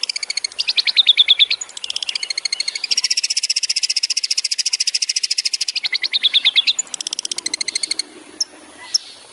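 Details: Long-tailed shrike master recording for training songbirds, a loud, fast song of rapid repeated buzzy and chattering notes, about three a second, with whistled slurs and trills mixed in, ending with a few isolated sharp notes.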